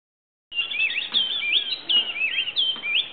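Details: ['Oriole warbler calling in Grand Popo, Benin: a continuous run of rich, liquid, warbled whistles that rise and fall in quick, looping phrases, beginning abruptly and continuing without pause against a quiet background.']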